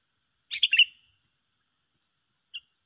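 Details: A single bright, bubbly phrase of four quick chirped notes from a sooty-headed bulbul in a two-bird singing contest, followed by silence and one short faint note near the end.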